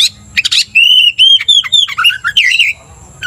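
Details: Oriental magpie-robin, a kacer provoked to aggression by another loud singing kacer, delivers a string of clear whistled notes that slide up and down, broken by harsh chattery bursts, all loud and close.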